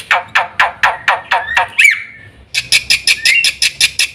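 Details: Harsh, rasping black-winged myna notes repeated about four times a second, a brief squeal, then a quicker series of sharp high chirps.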